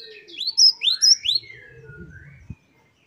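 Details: Gelatik batu, the great tit, in a wucit-wucit song variant for training caged birds: a brief cluster of varied rising whistled notes, followed by a falling slur and a click as it ends.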